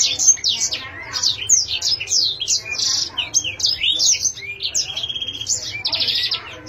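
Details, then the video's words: Ornamental canary sings fast, varied phrases of high chirps, whistled slides and a harsh buzzy trill near the end, almost without pause. "chim yến siêu hay , yến hót hay"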